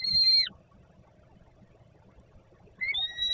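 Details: Hungry juvenile peregrine falcon on a landing below the nest at a power plant in Warsaw, Poland, 10 August 2022, 17:35, begging as a male parent brings food; two drawn-out whistled wails ending with a downward slur, separated by quiet.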